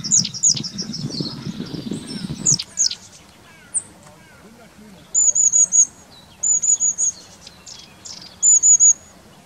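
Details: Long-tailed tits (Aegithalos caudatus), recorded in 2019, give very high, thin, rapid 'see-see-see' call notes in short bursts of four or five.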